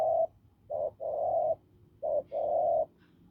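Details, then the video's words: Hoarse-voiced wild spotted dove from open fields giving low coos: a short note, then a brief hoot leading into a long, steady, rasping note, heard twice. "Bổi đồng khàn cứng gù"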